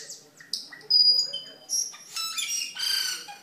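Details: Cucak keling singing gacor for masteran: scattered high chirps give way to long, pure whistled notes, then a burst of harsh, rasping squawks near the end.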